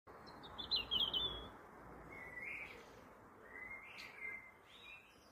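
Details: Juvenile Eurasian blue tit giving thin whistled calls, a high buzzy trill near the start followed by several drawn-out level notes at lower pitch, spaced about a second apart, over quiet background hiss.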